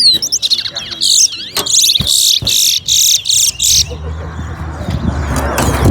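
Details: Towa towa finch racing at Alligator Park: four seconds of loud, evenly spaced bursts of high buzzy trilled song, each about half a second long, then a crowd murmur and a man counting quarters aloud.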